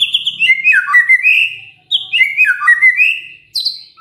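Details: White-rumped shama singing to prompt other shamas to answer: two fluty phrases, each a cascade of descending then rising whistles, starting a third phrase at the end.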